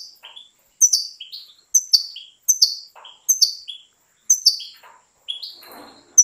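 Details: Breeder-kept European goldfinch delivering short, clear phrases, each a sharp high note sliding downward into a lower chirp. The phrases repeat roughly every second and are separated by brief silences; a soft rustle comes near the end.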